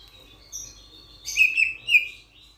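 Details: Grosbeak starling from Sulawesi uttering a couple of scratchy, buzzy notes followed by two louder, slurred chirps close together, with a quiet background.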